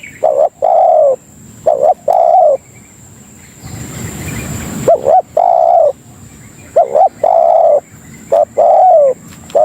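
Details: Tekukur, the spotted dove, giving a lure call meant to draw in other doves. Soft hooting phrases alternate a short paired coo with a longer held one. A brief burst of broadband rustling noise interrupts midway.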